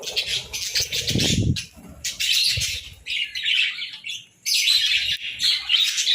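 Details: Several budgerigars chirping in the morning in distinct bursts of scratchy, high twittering roughly every second or two, with short quiet gaps between and a soft low thump early on.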